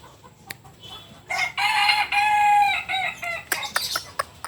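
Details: Kokok Balenggek rooster, native to Solok in West Sumatra, gives a strong, rich crow of several linked syllables lasting about two seconds, followed by sharp clicks and knocks.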